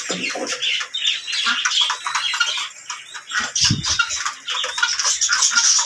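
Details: Ringneck parrots calling continuously: dense, harsh chattering and squawking notes overlapping in a steady noisy chorus, with some lower clucking sounds underneath.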